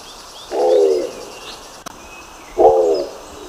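A Nicobar pigeon gives two low, hoarse, grunting calls about two seconds apart, each lasting half a second, with faint chirps of other birds and a click between.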